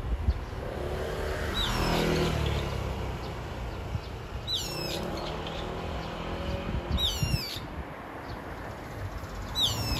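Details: A brown-eared bulbul (Hypsipetes amaurotis) calling as if for its mate, giving loud, harsh, sliding squeals every two to three seconds over a steady rumble of traffic.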